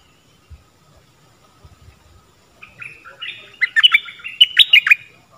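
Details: Stripe-throated bulbul singing a varied phrase, played to train young birds and attract wild ones. Quiet low thumps are followed by a rising run of liquid, chirping notes that grows louder and more clustered toward the end.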